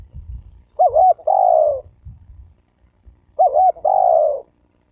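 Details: Spotted dove cooing, used to provoke males and females to coo and fight: two phrases about 2.5 seconds apart, each a wavering low note followed by a longer, slightly falling coo, over faint low rumble.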